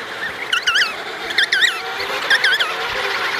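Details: Emperor penguins, an adult pair with their chick, at sea near Davis. High whistled calls come in three bursts, each a run of rising-falling swoops repeated about once a second, over a steady background hiss.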